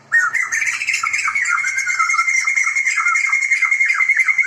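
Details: Male and female pair of Sumatran white-crested laughingthrush (Garrulax bicolor), a protected bird endemic to Sumatra, calling loudly together: a continuous harsh, cackling chatter of rapid, uneven notes with no pauses, sounding like raucous laughter.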